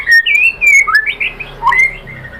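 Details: White-rumped shama singing to provoke other shamas: a short phrase of smooth whistled notes, some rising and some falling, with a low note near the end.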